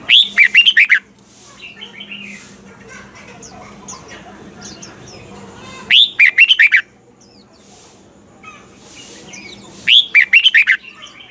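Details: Morning training song of a red-whiskered bulbul with mature wild double-note style: three bursts of rapid, bright warbled notes, each about a second long, spaced roughly five seconds apart, with soft faint chirps and low hum between.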